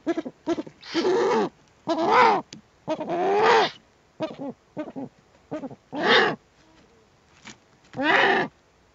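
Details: Eurasian eagle-owl adult with owlets at the nest, filmed by webcam on 21 April 2020: loud harsh rasping calls with strong harmonics, long hoarse bursts mixed with short clipped notes, irregularly spaced over nine seconds.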